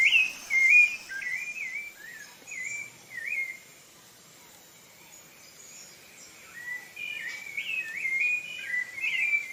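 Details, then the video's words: Rufous-bellied thrush (sabiá-laranjeira) in Brazil delivering loud, fluty caroling phrases, several quick slurred notes, a short pause, then a renewed burst of varied warbles; a steady high insect hiss runs faintly underneath. "Canto do Sabiá Laranjeira"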